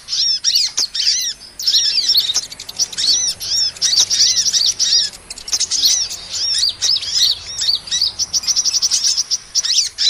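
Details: Sunbird (kolibri) calls used as a lure for trapping small birds: rapid high, thin chirps and short down-curving whistles in dense bursts, with brief pauses near one and a half seconds.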